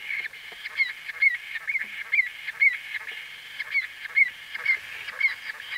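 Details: Short arched notes from a white-fronted bee-eater recorded close up, delivered roughly twice a second with uneven spacing and some softer notes between the louder ones.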